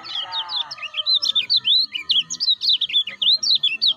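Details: A lemon-bellied white-eye (Zosterops chloris), used as a lure recording to train other white-eyes, gives a fast, high twittering song of short rising and falling whistled notes, several each second, with a faint low hum at the start.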